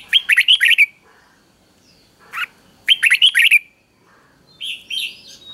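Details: Caged red-whiskered bulbul repeats a doubled three-syllable counting song for training young birds; a rapid bubbling phrase, a lone note, the same phrase again, then softer high chirps.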